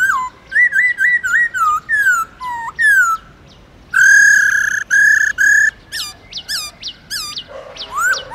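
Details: Black-throated laughingthrush (Garrulax chinensis) wild-type song used to stimulate captive birds: loud, rich clear whistled phrases, some rising, some falling, short notes repeating in quick bursts between brief pauses.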